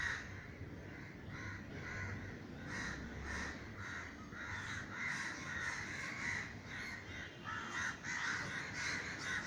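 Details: Frightened crows circle a Sri Lankan garden, sent up by a neighbour's gunshot, giving continuous harsh, raspy caws from many birds, roughly two calls per second throughout.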